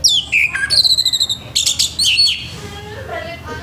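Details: Morning orange-headed thrush song in a rough style to rouse other thrushes: a descending series of whistles into a fast rattled trill, then scratchy high notes trailing off into soft lower warbles.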